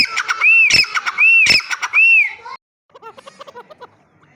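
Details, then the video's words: Partridge calling: a loud series of arched, whistled notes about a second apart, broken by sharp clicking bursts, then a pause and a softer run of quick chattering notes. "Teetar awaz|teetar voice|Teetar sounds|dakni teetar|irani teetar"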